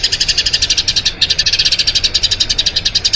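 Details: Eurasian tree sparrow in a long rolling song (ngerol panjang) used as training audio for other birds: fast, even string of high chirps at about nine per second, with a brief dip near the middle.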